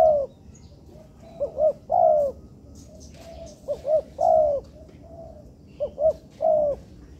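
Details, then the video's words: Spotted dove (tekukur) calling, recorded as training material in an artificial yard: repeated phrases of quick double notes and a drawn-out descending coo, with softer coos from another dove between them. "Melatih Bahan Ajaran Tekukur di Laman Buatan"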